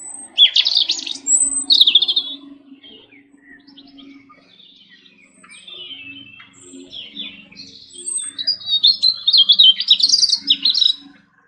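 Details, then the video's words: Robin singing quick bursts of high, twittering, warbled phrases, with a pause midway before a longer jumbled run, over a low hum. "Robin Sparrow Singing - Robin Bird Call Sounds"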